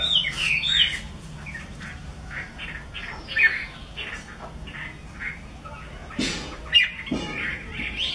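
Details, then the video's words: Chinese hwamei singing well, a pet songbird, delivering a varied run of short, bright whistled and slurred notes repeated at an uneven pace, with a few sharper harsh bursts and knocking sounds near the end over a low background hum. "Hoa mi bông hót hay"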